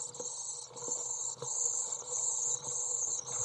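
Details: One of three young Common Swifts (Apus apus) in the nest, practising on 6 July 2012 and disturbed when a parent bird enters, gives a thin, high, continuous wheezing hiss that swells and dips every second or so, with faint low knocks underneath.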